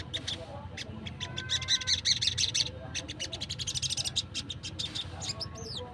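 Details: Sunbird in the wild, a call for luring wild birds: fast, uneven chattering of high ticking notes, around three per second, with a short high whistled flourish at the end, over low background noise.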